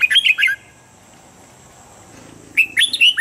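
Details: Red-whiskered bulbul (Pycnonotus jocosus) in morning song training, singing short bursts of bright, rolling whistled phrases with quiet gaps between them, over a faint steady background hiss.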